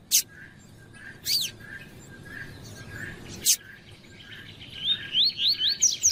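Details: Double-collared seedeater, with a female calling to warm up a male: several sharp, explosive chips spaced a second or more apart, then the tui-tui run of short rising whistles starting near the end, over a faint, even hiss.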